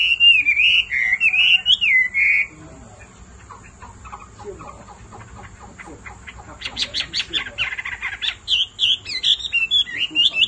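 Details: Hwamei male stirred to sing by a female's persistent calling: rich whistled phrases open, then a pause, followed by scratchy chattering notes and more high, wavering whistles closing the sequence.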